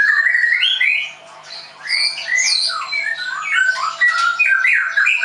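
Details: Caged white-rumped shama kept at a Tangerang bird school, pouring out a rich, fast medley of sliding whistles, trills and sharp chips with barely a pause.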